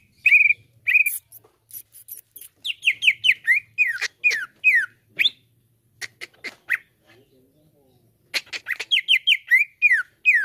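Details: A greater green leafbird, used as a lure to make other leafbirds sing, gives bright, down-slurred whistles in quick runs, mixed with sharp ticking and harsh chattering notes, pausing briefly before resuming.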